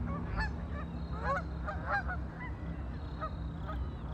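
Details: On a lake, ducks call in clustered bursts of brief honky notes, overlapping in the first two seconds and thinning toward the end, backed by deep steady background rumble.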